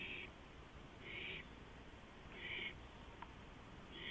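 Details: An owl perched on a porch at 2:05 AM on April 5, 2015, giving short raspy high calls, each about a quarter second long and repeated roughly every one to one and a half seconds, over a steady low hum.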